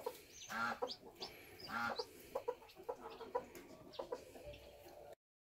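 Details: Bantam chicken at a homestead during chick hatching: two drawn-out, nasal harmonic calls separated by about a second, then a run of short, soft clucks.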